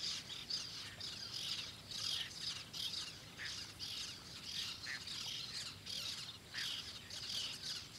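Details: Whiskered tern passing frog prey to a chick at the nest in Donana National Park, Seville, Spain, in August; harsh, repeated high squawking calls in quick bursts over a faint outdoor background.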